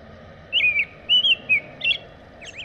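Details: Clear whistled phrases from an American robin, three slurred notes in quick succession followed by a shorter, buzzier phrase, over faint steady hiss.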